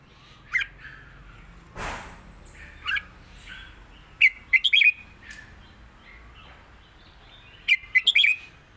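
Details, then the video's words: Red-whiskered bulbul in southern Thai song: sparse bright notes, a loud broadband thump near the start, then quick trilled clusters of chirps. "สดจัด!!ร้อง+ริก เพลงใต้แม่บทชัดๆ วนเพลงสวย(ไว้สอนนก)"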